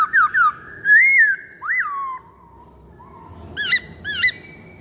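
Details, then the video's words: Black-throated laughingthrush song played as a lure: clear whistled notes sliding up and down, a long falling whistle fading out, then two sharp looping whistles close together. "Pancingan Poksay Hongkong Paling Ampuh"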